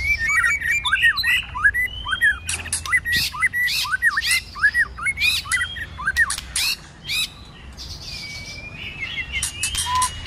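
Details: White-rumped shama giving its fighting song with many voices and tail-flicking in the cold season: a rapid series of loud downslurred whistles with sharp clicks, about one or two notes a second, and a thin rising whistle near the end.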